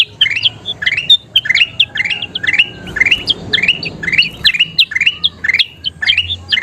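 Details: Kutilang emas bulbul in energetic gacor song, played for pemasteran of birds: rising, slurred chirps and short whistles strung in fast repeated bursts, steady rhythm, quiet low background noise.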